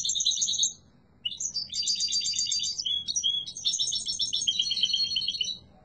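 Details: Loud song of a yellow mutation goldfinch: a short twittering phrase, a brief silence, then a long, fast, buzzy and tinkling run of trills and chirps.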